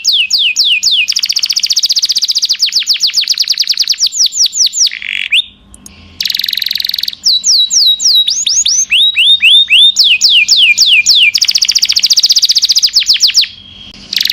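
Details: ['Canary singing a long tutor song for caged birds: fast rolling trills of falling notes and slower slurred phrases, broken by brief buzzy bursts and short quiet gaps.']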